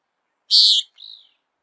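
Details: Common Nighthawk peent call given in flight while hunting insects: one loud, harsh, buzzy nasal note followed by a fainter, softer trailing buzz, with nothing else audible.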